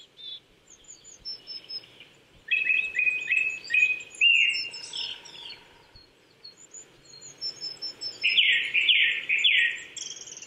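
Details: Morning song of a Japanese thrush in April 2019 at 800 m, Chichibu, Saitama, Japan: a run of quick fluty whistles, then a richer warbled, bubbling phrase, amid thin high chirps from other birds in the forest.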